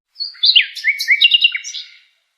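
A brief nightingale phrase: high whistled slurs, then a quick run of four or five bright chirping notes ending in a sharp flourish, with no other sounds.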